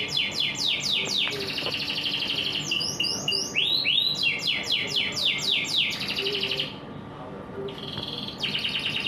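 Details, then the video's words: Canary singing in the morning, long rolling trills of rapidly repeated descending notes alternating with rising swoops and buzzy rattles, a brief pause near the end, steady hum underneath. "suara burung kenari di pagi hari"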